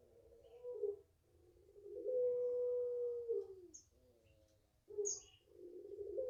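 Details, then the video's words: A five-month-old puter pelung, or Barbary dove, from the keeper's own garden, with short low coos leading into one long steady hollow coo lasting over a second, then softer notes; faint high chirps of small birds scattered behind. "SUARAPANJANG PUTERPELUNG"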